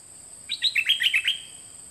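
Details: Dok taeng bird, one of two, song from a 2020 recording used to train young birds to copy: a rapid tumbling run of about eight high chirpy notes running together, clean background.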